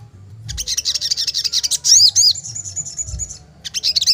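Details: Agitated sogon singing while drooping and fluttering its wings: dense bursts of high, rapid twittering chirps with looping whistled notes, a short gap, then a fresh burst of twitters.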